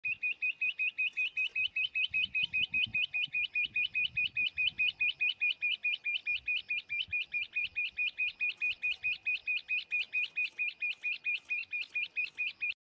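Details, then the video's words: A rock bush quail gives a long, even run of high, sharp whistled notes, about two or three each second, over faint low rustling; Rock bush quail. "रॉक बुश क्वाइल आवाज़"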